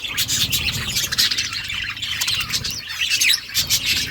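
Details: Outdoor aviary of wild budgerigars: a constant chorus of high-pitched chirps, warbles and scratchy squawks from many birds overlapping, with faint low background rumble.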